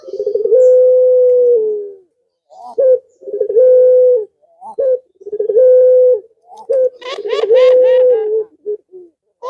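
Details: Male pelung dove calling a female: long, drawn-out, level coos, each about a second and a half, repeated roughly every two seconds with short clipped notes between, ending in a throatier rolling coo, indoors.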